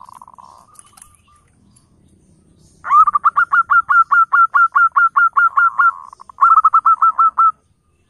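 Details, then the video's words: Local zebra dove calling actively, used as a lure to make wild flocking doves answer; a brief purring trill, then a fast run of hooked, cooing notes about four per second, broken once by a rolling purr. "suara panggilan PERKUTUT LOKAL GACOR pancingan ampuh untuk perkutut OMBYOKAN langsung NYAUT"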